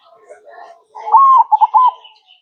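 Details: Zebra dove in the manggung cooing style: after soft murmurs, a soft, tonal phrase with a long held note followed by quick, rolling, stuttered coos.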